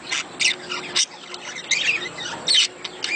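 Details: Budgerigars giving a mating sound meant to stimulate breeding: bursts of harsh, high squawks and scratchy warbles in uneven clusters, with brief quieter gaps.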